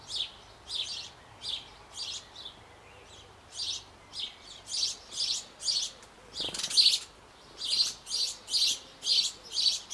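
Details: Young sparrows about to leave their nest box on an old apple tree in Bavaria, being fed by both parents. Rasping high chirps repeat about once a second, loudening toward the end, with a brief flutter of wings midway.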